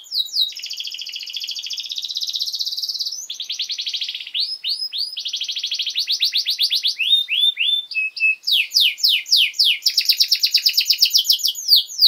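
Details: Long canary song meant to train young birds: extended high trills change in speed and pitch, with bursts of rapid chopped notes, brief pure tones and a fast repeated rolling phrase near the end.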